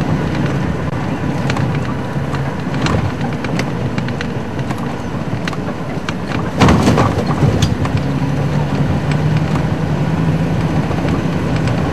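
Steady low rumble of a moving vehicle with road noise and a brief louder thump near the middle; no animal voices.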